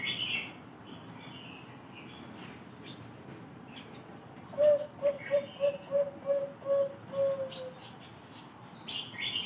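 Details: Zebra dove, the Bangkok perkutut, whose special thick voice is much sought after: a tight run of eight or so soft coos over three seconds, with brief higher chirps of other birds at the start and end.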